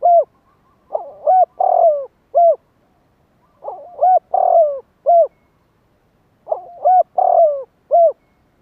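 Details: Spotted dove calling to stimulate and lure wild doves. It repeats a mellow cooing phrase three times, about every three seconds. Each phrase is a quick stuttered start, two soft coos, a longer falling coo, and a closing coo, on a quiet background.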